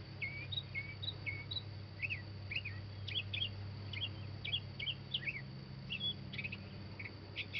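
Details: Northern mockingbird singing a continuous run of varied short phrases: quick chirps, slurred whistles and sharp clipped notes follow one another rapidly, with a constant low hum underneath.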